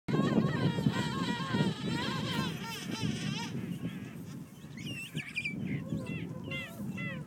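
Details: Penguins calling at Fortuna Bay on 28 February 2013, recorded from far away on an iPhone: wavering, nasal, trumpeting calls from several birds overlap, later joined by higher squeaky notes, over a steady low rumble of background noise.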